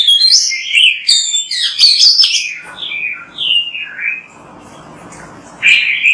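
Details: Rich song of an Oriental magpie-robin, used as a lure to make other magpie-robins sing. Quick, varied high chirps and whistles lead to a few descending whistled notes, then a quiet pause, then a burst of song.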